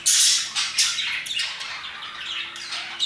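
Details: Parakeets at roughly 2pm give a sharp loud squawk at the start, followed by busy, fast chattering chirps that gradually soften, plus a faint steady hum underneath.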